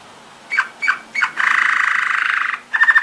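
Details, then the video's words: Belgian Waterslager canary training song: a few short slurred notes, then a dense bubbling roll, followed by brief whistled notes. "Belgian Waterslager / Belgian Malinois Waterslager training song vol. 2"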